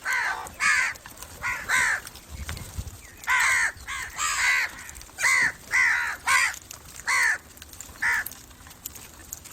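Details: Crow calls offered to attract crows: loud harsh caws in uneven bursts, roughly ten over ten seconds, some paired, with a faint steady high hiss behind them.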